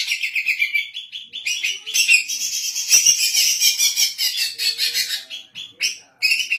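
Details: Female greater green leafbird in captivity in Indonesia, used to train other birds and to lure them; fast, varied high warbling with scratchy chatter and clear whistles, breaking off briefly near the end before resuming.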